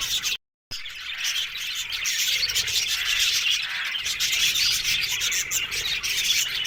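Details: Australian budgerigars in an aviary colony, many birds chattering at once: a dense, continuous wash of high chirps and twitters, with a brief gap of silence near the start.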